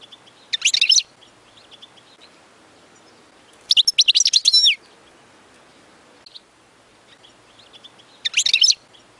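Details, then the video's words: European goldfinch song played to teach chicks: three short, separate bursts of high, jangling twitter, each under a second long and several seconds apart, over a faint background hiss. "تغريد أغلى حسون في العالم لتعليم الفراخ"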